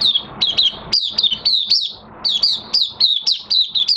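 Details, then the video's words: Caged Oriental white-eye in minor moult, singing a fast run of thin high chirps and short descending whistled notes, each phrase a quick slurred burst repeated several times with brief gaps, clear and close. "Mata Puteh Kitaro V1 buka sing"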